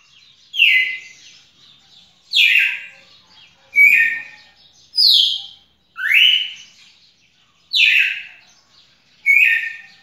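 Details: Red-cowled cardinal song of loud, downward-slurred whistled phrases repeated roughly every one and a half seconds, alternating higher and lower notes with faint echoing tails and no other clear sounds.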